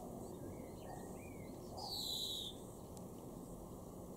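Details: Garden greenfinch recorded in Weener, East Frisia, far northwest Germany, in May 2021, giving one long descending buzzy wheeze, preceded by soft rising twittered notes, against constant low-pitched noise.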